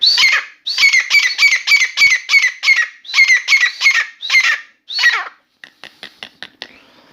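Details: Grey francolin (Dakhni teetar) kept indoors in a room, a new bird singing continuously: a rapid run of about a dozen loud, shrill, ringing notes in quick even succession, then a few faint clicks.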